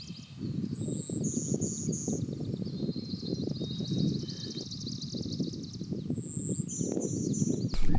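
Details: Golden-winged Warbler on breeding territory sings a high thin buzz then three lower buzzy notes, twice, while another bird trills and a low rumble runs underneath. Sax-Zim Bog, hazy morning after fog, 24 May 2020, in low willow-alder shrubs with scattered aspen and tamarack.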